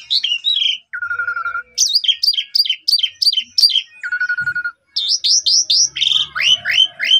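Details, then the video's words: Lure song of an Asian pied starling, rich in varied phrases, recorded with a phone in Sidajaya, Subang: warbled chatter, a held pulsed note, rapid repeated sharp chirps, another held note, then a run of upward whistled slurs. "Jalak Suren Loyo Bakal Langsung Nyaut Gacor Dan Emosi Dengan Pancingan Jalak Suren Full Isian Ini"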